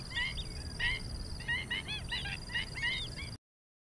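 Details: Pied stilt in Malaysia, October 2021, giving quick bursts of sharp, yapping notes, several a second in ragged clusters, over a steady high insect-like whine and low rumble.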